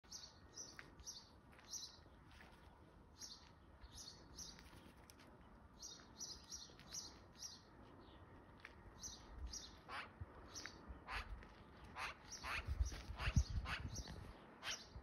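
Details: A magpie jumping from branch to branch in a tree gives thin, high chirps about twice a second, then harsher, louder calls toward the end over faint background noise.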